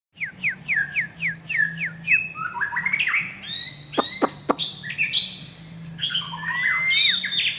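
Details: Long-tailed white-rumped shama from Medan, a caged songbird, in energetic song: a run of repeated downslurred whistles, then buzzy rising phrases, sharp clicks and varied warbling, with a low steady hum beneath.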